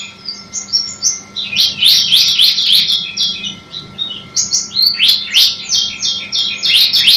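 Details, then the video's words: Masteran recording of a bar-winged prinia, or ciblek, singing. Bright, high twittering notes tumble in fast runs of sweeping chirps, fading and then rebuilding over about seven seconds above a soft background hum. "Masteran CIBLEK AMPUH"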